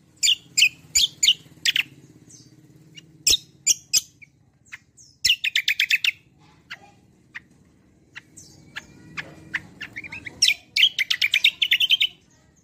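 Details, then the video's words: Javan grey-throated white-eye singing prolifically in 'roll tembak' style as a lure for other birds: loud piercing chirps alternating with fast rattling trills, pauses between phrases. "BURUNG KECIAL KOMBO CUCAK KOMBO ROLL TEMBAK GACOR || UNTUK PANCINGAN BUNYI BURUNG BAHAN MANTAP"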